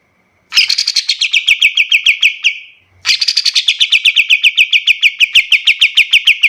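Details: Kapas tembak used as a master recording for teaching other birds: two long bursts of fast, ringing, buzzy chatter separated by a brief pause, notes repeated about three to four per second.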